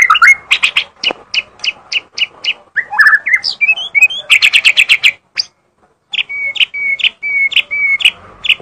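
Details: Vigorous white-rumped shama song: a series of sharp repeated notes, upward whistled slurs, a rapid chattering burst of buzzy notes, a pause, then alternating flat whistles and crisp clicks.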